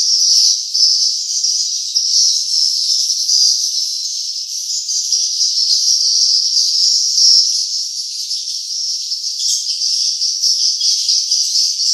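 Swiftlets in a dense, unbroken chorus of high, thin twittering chirps, overlapping so closely they merge into a steady shimmering buzz.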